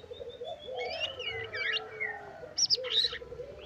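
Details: White-rumped shama song in trotol style full of isian phrases: thin rising and falling whistles, a short twittering burst, then loud high chattering notes near the end, over a soft low background drone.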